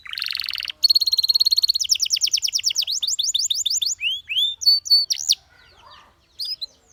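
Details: Canary singing for training: a buzzy burst, a steady rapid trill, then quick falling sweeps, arched whistles and a few sharp high notes before the song trails off.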